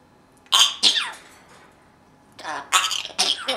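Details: Pet parrot copying its owner's sneezes with a series of breathy, explosive sneeze-like bursts, two at first, then three more after a short pause, indoors.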